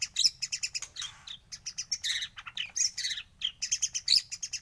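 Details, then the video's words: White-rumped shama song used for morning training, a dense, busy stream of fast chirps, trills and short squeaky notes, high and varied, at moderate loudness. "pANCINGAN masteran pagi agar MURAI BATU gacor"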